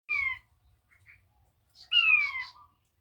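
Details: King quail (puyuh batu) calling actively: two loud, clear whistled notes that slide steeply downward, one at the start and a longer one about two seconds later, with faint soft chirps between them.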